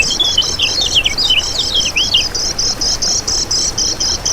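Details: Lemon-bellied white-eye singing for a bird-luring master recording: rapid, warbling high twitters with swooping downward slurs for two seconds, then an even, rhythmic series of bright chirps.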